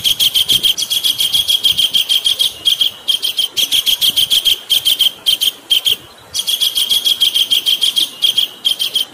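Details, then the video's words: Kingfisher giving rough, harsh, scratchy notes in fast runs of about three to four per second with brief pauses, used as a training recording for cage songbirds, over faint background hiss. "MESTERAN KASAR RAJA UDANG"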